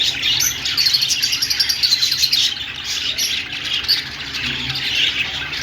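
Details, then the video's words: Parakeets twittering nonstop, with dense high chirps and a few clear whistled squeaks, louder in the first half. "Australian parrot singing |love birds sounds |parakeet chirping sounds |budgies"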